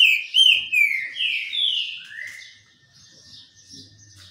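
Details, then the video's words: Sunbathing green-winged saltator delivering a strong whistled phrase of four or five slurred notes, each sliding down, the last dipping lowest, before fading into quieter high chirping. "trinca ferro cobra no banho de sol"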